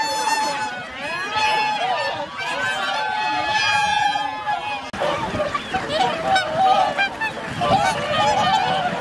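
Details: Swan flock wintering on Lake Hyoko, Agano City, Japan, 8 January 2022; overlapping honks throughout, with people talking in the background and a brief cut midway.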